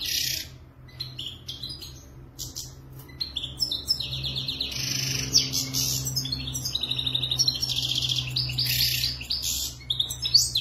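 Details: Moroccan European goldfinch song: rapid, tinkling twitters and buzzy trilled phrases, high and busy, building in intensity after the first few seconds, with a low steady hum beneath.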